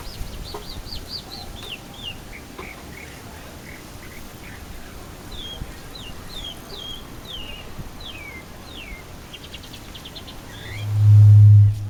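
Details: In Florianópolis, Santa Catarina, Brazil, a chalk-browed mockingbird (Mimus saturninus modulator) sings softly from the throat: a varied run of quick slurred whistles and chirps, each note changing, over a steady low wind rumble that ends in a loud bump.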